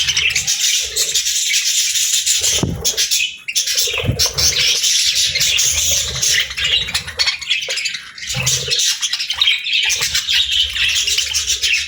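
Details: Long stretch of happy budgerigar flock chatter, a steady dense mass of scratchy high twitters and squawks with occasional softer dips.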